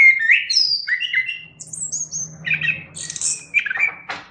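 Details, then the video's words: Chestnut-capped thrush in lively song for cage-bird tutoring: a sequence of slurred whistles, a pair of very high thin notes, then buzzy chattering phrases and a sharp final burst. A soft low hum behind. "Suara Burung Anis Kembang | Gacor"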